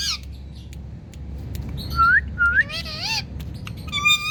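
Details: Indian parrot giving two short rising whistled slurs near mid-clip, followed by wavering, ringing squawk calls with rich overtones, over a low steady background hum.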